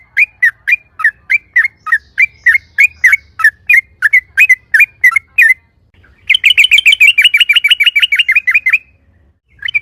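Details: Loud rolling song of a yellow-vented bulbul, played to draw replies from other bulbuls: steady short whistled notes repeated quickly, then after a pause a faster, higher, continuous rattling trill of clipped notes.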